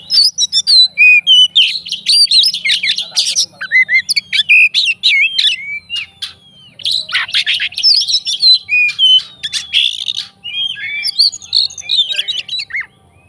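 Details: Fighting Oriental magpie-robin singing to provoke rival magpie-robins: loud, rapid, varied song of whistled slurs, sharp chips and buzzy trills, delivered almost continuously with only brief pauses, over a faint low hum.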